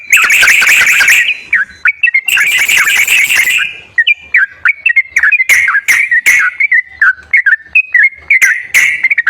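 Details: Sooty-headed bulbul song meant to prompt a silent bird to sing: two long harsh buzzy bursts, followed by a string of short whistled, slurred notes with crisp clicks.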